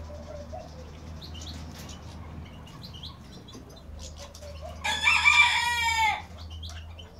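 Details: Early-morning rooster crowing beside a bathing goldfinch, a single bright, harmonic crow lasting just over a second, rising out of quiet chirps and a low steady hum.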